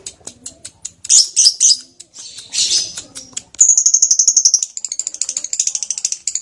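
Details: Lovebird in very active singing form with long ngekek trilling: scattered sharp high chirps, then from mid-clip a fast, even chattering trill of rapid high notes that fades into looser pulsed chatter.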